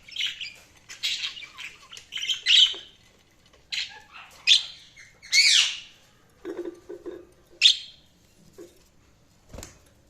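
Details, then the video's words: Budgies chirping and chattering in a lively run of harsh chirps, squeaky notes and short warbled phrases, some louder squawky peaks, with a faint tap near the end. "Budgies Sounds| Budgies Chirping sound"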